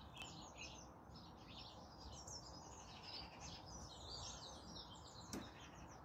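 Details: Song Thrush singing from ash trees bordering a small urban garden during the dawn chorus, present most mornings for just over a week; dense, melodic high phrases tumble one after another over a steady low background rumble, with a sharp click near the end.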